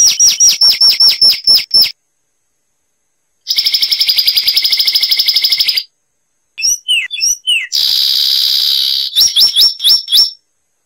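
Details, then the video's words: Zapata wren song from Cuba: a quick run of sharp rising notes, a long buzzing trill, a varied jumble of notes, another trill, then more rapid rising notes. Clean recording with no background. "Masteran Burung Zapata Wren"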